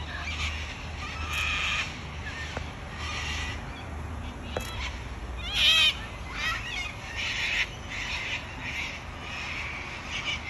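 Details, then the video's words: Harsh, grating screeches from wild cockatoos in Australia, a run of short raspy bursts across ten seconds, one louder squawk near the middle, over a constant low background hum. "Australian wild bird COCKATOO sounds"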